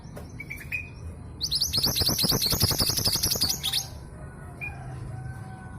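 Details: A lure bird for getting males to sing: a female long-tailed sibia from East Java bursts into a dense, high, rattling series of chirps lasting over two seconds. Brief soft whistles come before and after.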